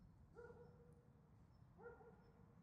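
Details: Red-crowned crane family on tidal flats at Ganghwa Island, South Korea; two distant, clear trumpeting calls with rising onset, about 1.5 seconds apart, over low rumbling background noise.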